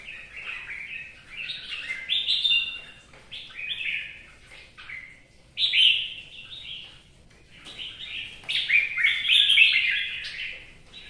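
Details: Two red-whiskered bulbuls singing in the rain, with bright, bubbling whistled phrases in bursts every few seconds, some overlapping, over a soft steady hiss of rain.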